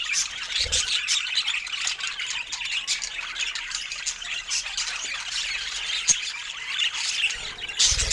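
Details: Budgerigars sharing fruit chatter continuously in high scratchy warbles and squeaks, with soft knocks at the start and end.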